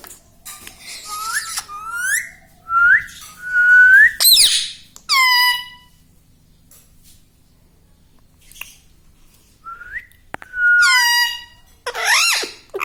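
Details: Pet parrot indoors that talks, saying mummy and papa; clusters of rising whistles and loud harmonic squawky syllables, a long quiet middle stretch, then more whistles and squawks.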